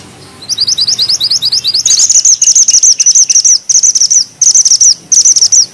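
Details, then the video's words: Bushchat, called mantenan gunung, singing with sharp, tight rolls: a string of crisp, evenly spaced high notes rising into repeated fast, buzzy trill bursts, each under half a second. "Mantenan gunung gacor ngeroll rapat,nembak tajam!!"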